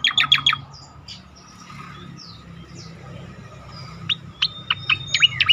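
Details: Striated grassbird singing, used to tutor other songbirds: a quick cluster of four sharp high notes, a quieter stretch with faint soft whistles, then a rising run of crisp chirps and short slurs over a background hum.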